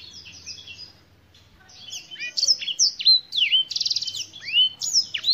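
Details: Black-throated canary of African origin: after a near-silent second, a lively run of high whistles begins, with sharp downslurred notes, buzzy rapid trills and quick chirps strung together for several seconds.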